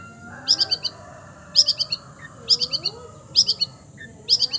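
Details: Cendet, the long-tailed shrike, mimicking other birds: short clusters of three or four bright high chirps repeated roughly every second, with faint low sliding whistles from other sources beneath.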